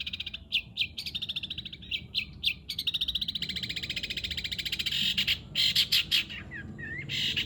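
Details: Long-tailed shrike song in the greja nyeret style: spaced sharp chirps leading into a long rapid rattling trill, then harsh scratchy notes, a brief rising whistle and a final buzzy burst.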